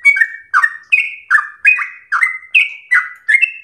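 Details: Sooty-headed bulbul in a lively, slow-paced song, giving a steady run of bubbly, mid-pitched notes that each dip then lift, about two to three phrases per second, with no other sounds.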